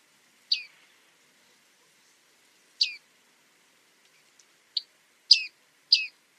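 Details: Bearded reedling calls: sharp, falling metallic pings, two well separated then three in quick succession toward the end, in otherwise silent surroundings.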